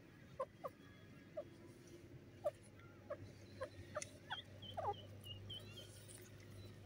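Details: Grey francolin female giving spaced, clear, mid-pitched notes, several doubled, repeated irregularly about once a second against a steady low hum, while thin high whistles and twitters from other birds come in toward the end.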